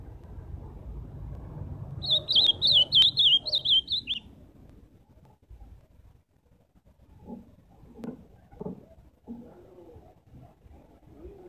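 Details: Live song of an ultramarine grosbeak: a rapid run of sweet, high, slurred whistles lasting about two seconds, followed by quiet with faint low knocks and rustling.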